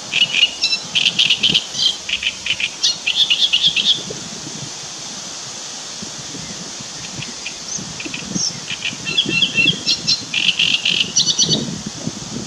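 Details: Great reed warbler singing, recorded 2 June 2017: loud, harsh, croaking phrases built from rapidly repeated grating syllables, a long bout at the start, a quiet gap, then another run of chattering repeats near the end.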